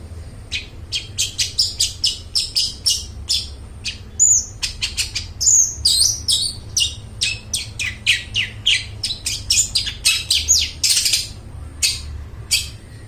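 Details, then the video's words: Long-tailed shrike singing continuously, used as a lure for mute shrikes: a fast, steady run of sharp high chirps, several per second, broken by occasional slurred whistles, over faint hum. "suara burung cendet gacor suara plong cocok buat pancingan burung cendet bisu"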